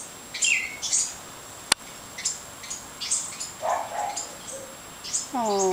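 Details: House wren fledglings calling as they leave the nest: scattered high, piercing chirps and slurred notes at irregular intervals, a sharp click midway, and a brief human voice at the very end.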